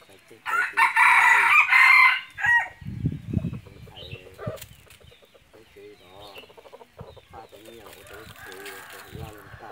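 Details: A red junglefowl hunting decoy gives one loud, rasping crow in two parts. Talking voices and wing or handling noises follow.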